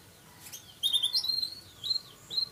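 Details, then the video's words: Songbird from a bird-singing hobby keeper, offspring of a prized bird and a hoped-for future champion, giving high clear whistled phrases with quick upward and downward slurs, separated by short pauses. "Kicau mania"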